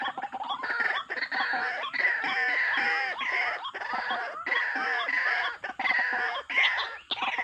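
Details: White-breasted waterhen calls used as a bird-trapping lure: loud, dense, harsh croaking notes in bursts with bending pitch, several birds overlapping almost continuously.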